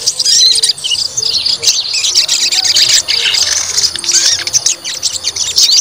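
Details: White-rumped shama provoked to fight, testing its fighting spirit: a dense, nonstop high chatter of rapid twittering and squeaky notes, with a faint low hum underneath throughout.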